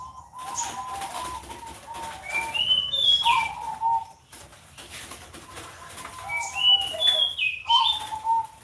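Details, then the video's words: Zebra dove (perkutut) cooing on a Sunday morning, with throaty rolling coo phrases repeated throughout, interleaved with another bird's clear, rising and falling whistled notes. "PANTAU KUTUT BUNYI"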